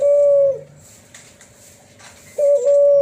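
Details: Flute-like 'suling' coo of a Cuhu Kelantan, a spotted dove crossed with a tangerine collared dove: one steady whistled note at the start and another beginning near the end, quiet gap between.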